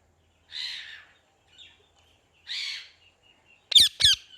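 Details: Parrot uttering two drawn-out, hoarse rasping calls about two seconds apart, then two abrupt, piercing squawks close together.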